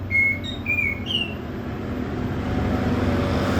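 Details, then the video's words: Prinia in vigorous song, three clear downward-slurred whistles in the first second and a half, then only steady low engine rumble. "Katem gacor besetan di ahir"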